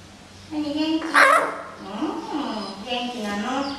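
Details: Captive common hill myna recorded May 2015, struggling to hold a conversation with its owner; one loud rasping burst sits among wavering, tonal speech-like syllables over a steady background hum.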